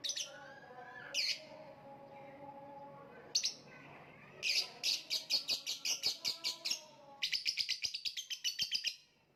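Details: Lovebird starting with a few isolated shrill chirps, then bursting into rapid strings of harsh, high chirps, about eight per second toward the end, scratchy and insistent.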